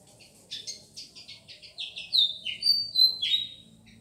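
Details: Fantail from Madura, Indonesia, giving a bright sequence of high, squeaky chirps. Soft, quick notes come first, then louder sliding whistles that drop and rise in pitch, repeated several times over a low background rumble.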